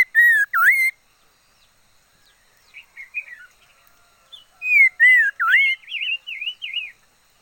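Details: Decoy liocichla voicing two loud dipping whistles, soft scratchy notes, then a strong swooping whistle followed by a series of quick wavy notes.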